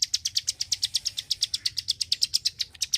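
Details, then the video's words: Klik-klik bird ticking out bright, high clicks, about seven each second in an even rhythm, with a faint low hum behind. "BURUNG KLIK KLIK SUPER GACOR,TEMBAKAN SUARANYA BIKIN MELONGO"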